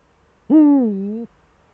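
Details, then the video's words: Eagle-owl duet in the Eifel with the male at the nest, December 13, 2013, 17:25. A single loud harmonic call, level then dipping and rising again, roughly three quarters of a second long. "Uhu-Duett, Männchen am Horst"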